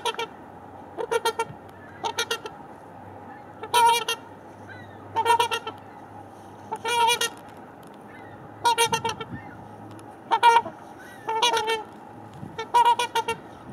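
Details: A pair of trumpeter swans (Cygnus buccinator), pair bonding on 4 April 2015 and possibly driving off last year's young, give loud, nasal, horn-like honks, single or doubled, every one to two seconds, over a low hum.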